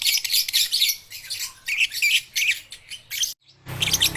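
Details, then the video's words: Baby and young lovebirds, played to coax quiet lovebirds into singing; a dense, harsh, high chattering of overlapping squeaky chirps in bursts, a sudden brief silence, then the chatter resumes. "Lovebird paud belajar bunyi"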